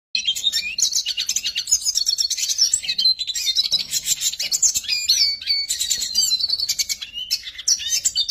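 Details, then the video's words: A Eurasian siskin sings a fast, continuous twittering song of high chirps and trills, broken by drawn-out wheezy notes, with nothing else heard. "Siskin Singing"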